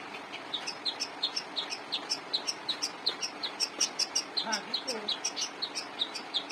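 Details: Vigorous long-tailed shrike song meant as master material for training cage birds; steady stream of sharp high chirps, nearly three per second, with a short lower slurred note near the end.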